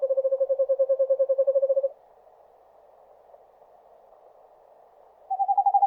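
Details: Eastern screech owl in a forest, giving a steady monotone trill of quick pulses for about two seconds, silence, then a slightly higher trill starting up.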